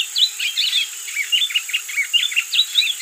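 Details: Wing-barred seedeater (Sporophila americana) song: quick twittering sequence of sweet, slurred whistles and short chirps, varied in pitch, over a constant high-pitched hum.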